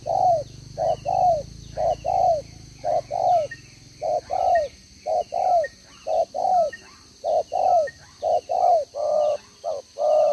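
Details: Spotted dove, a caged decoy with a double necklace, cooing in 'gáy 1 hậu' style on 11/6/2023: evenly spaced pairs of deep, rounded coos repeated across the recording, a low rumble early on and a thin high tone behind.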